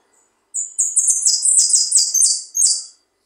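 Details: Finch (jilguero) in full song: rapid, high, bright phrases of buzzy trills and chirps, about eight notes strung together over two and a half seconds, ending with a separate short burst. Quiet background.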